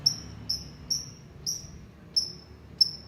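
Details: Long-tailed shrike singing in a lovebird-like style: short, clear high whistled notes on one steady pitch, each with a faint higher overtone, repeated about twice a second with uneven spacing over a low background hum.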